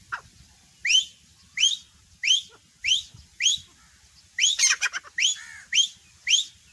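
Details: Grey francolin calling: loud, sharp upslurred whistled notes repeated about every 0.7 seconds, with a brief cluster of harsher notes midway and low rumbling noise beneath.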